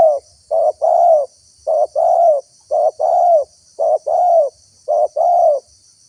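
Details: Spotted dove call played as a lure to draw wild doves: low, mellow coos near 600–700, grouped in pairs, a short coo then a longer arched one, repeated steadily about once a second in clean, quiet surroundings.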